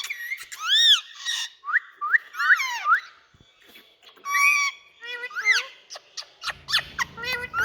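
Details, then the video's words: Pet Indian ring-necked (rose-ringed) talking parakeets give a loud medley of arched whistles, harsh squawks and rising screeches in quick irregular bursts, with a brief low rumble near the end. "Loud🎊Noises Indian Talking Parrots"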